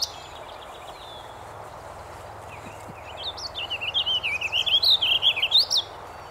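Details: At Cumberland, Ontario, a warbling vireo singing from its blooming hawthorn perch gives one rambling, rapid warble of quick up-and-down notes, lasting nearly three seconds and ending on a rising note, over a soft outdoor hush.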